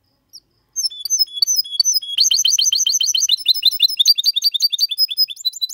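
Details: Goldfinch x canary hybrid male singing a clean 2022 song meant to stimulate males and teach young birds; slurred high whistles give way to fast repeated buzzy-chirped notes about three per second, then rapid twittering.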